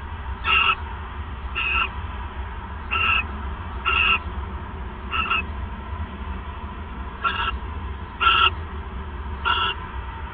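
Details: Male owl delivering a third mouse at night, 28 December 2014; eight short, grating screech-like bursts sound irregularly, with a long pause midway, against a low steady hum.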